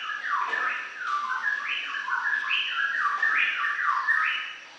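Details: Continuous warbling from a greater green leafbird: fluid mid-pitched notes rising and falling in quick step-like jumps, phrase after phrase without pause, against light background hiss.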